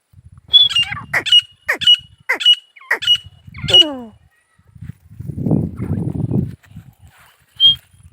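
A male grey francolin gives a run of about seven shrill, sharp notes, each with a quick downward slur, roughly twice a second. A low rustling or murmur follows.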